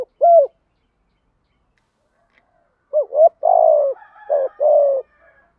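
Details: Decoy spotted dove giving its morning flock-gathering coos: one lone hollow note, a pause, then a run of two quick coos, a long burry coo and two steady coos, low and mellow.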